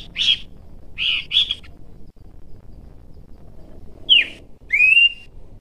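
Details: Abbott's babbler (Malacocincla abbotti) singing in the wild: clear, high whistled phrases, some bending downward and others sliding upward.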